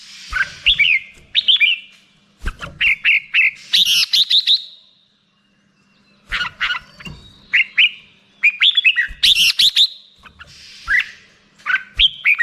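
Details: Bulbul song, black-crested, with clustered whistled chirps and slurs, a silent gap midway, then more phrases of bright sweeping notes.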